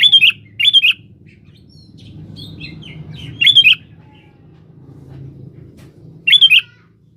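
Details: :Sooty-headed bulbul singing vigorously, calling a rival, used as a lure: short bubbly whistled phrases of three to four quick notes, two close together at the start, then one every few seconds, with soft chattering between and a low hum beneath.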